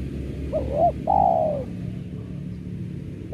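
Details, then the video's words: Spotted dove coo played to attract doves for trapping, a wavering lead-in note and a long gently falling coo, then low noise, with the start of another phrase at the very end. "Pancingan Suara Tekukur"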